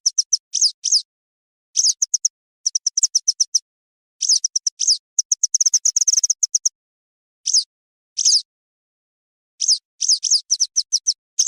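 Western yellow wagtail calls: thin, high, slightly buzzy chirps in quick clusters of three to six, repeated every second or so, with one dense chattering burst midway.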